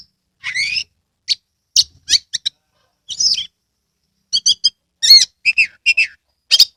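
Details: Oriental magpie-robin song used as a stimulus for birds reluctant to sing; varied whistled slurs and harsh buzzy notes in spaced bursts, some quick triple note clusters.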